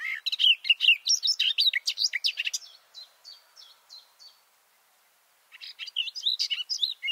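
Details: Garden warbler male singing within a bush, recorded at close range with microphones two meters below: a hurried, bubbling warble, then a short series of repeated clipped notes, a pause, and the warbling resumes.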